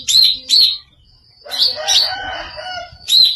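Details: Greater green leafbird giving strange sounds: two short, harsh, buzzy high bursts, a pause, then a longer scratchy chattering phrase with rasping notes, ending in another harsh burst.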